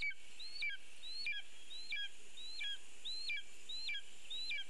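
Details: A Lesser spotted eagle at its nest in a birch, as a bird is brought in, gives a run of high, thin yelping notes, each rising and falling, about one every two-thirds of a second, over a low steady hum.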